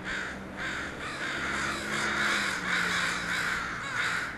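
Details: A noisy gathering of crows after landing at a house, several birds cawing at once in a dense, overlapping chorus of rough, drawn-out caws at a quick, irregular pace.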